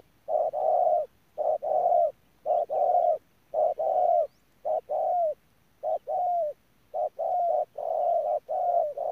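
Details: Spotted dove kept as a ground decoy bird, recorded at Đức Cơ on 17 November 2018, giving rapid repeated coos: short paired notes followed by longer level hoots, phrases following closely with brief gaps throughout.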